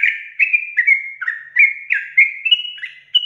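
A yellow-vented bulbul gives a fast, unbroken run of bubbly, chattering notes, rising and falling in quick phrases about three a second, with no other sounds.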